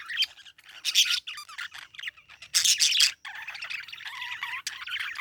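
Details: Parakeet chirping and chattering in dense bursts of harsh, buzzy squawks and quick high notes, loud spells around one and three seconds separated by softer warbling, no other sounds.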